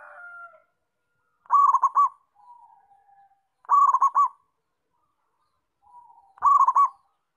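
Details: Local zebra dove singing briskly: three loud phrases of fast, rolling, stuttered coos, about two seconds apart. Each is linked by quiet, level, drawn-out notes.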